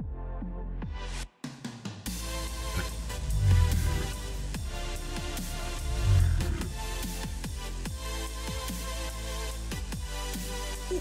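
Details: Heavy electronic dance music with a thumping bass beat and sharp percussive hits; no animal voice is heard.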